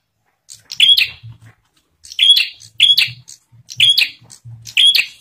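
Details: Lure song of a bar-winged prinia, played to get other prinias singing: four loud, bright, sharply chipped phrases, each with a high whistled note, separated by short pauses, over a faint low rumble.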